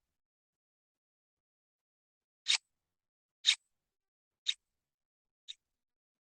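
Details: Four sharp, dry clicks about one second apart follow a silent start, each fainter than the last, like a ticking or snipping sound in a quiet room.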